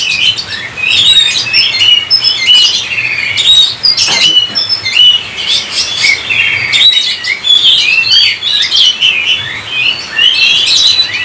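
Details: Oriental magpie-robin pouring out gacor song to encourage other magpie-robins: long, dense streams of whistles, trills and harsh chattering notes, with a faint hum below.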